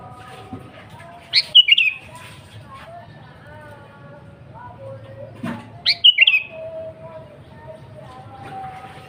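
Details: Vigorous song of a kutilang (sooty-headed bulbul), used as a lure and for training caged birds: two bubbly whistled phrases about four and a half seconds apart, with soft chattering and faint tonal sounds between.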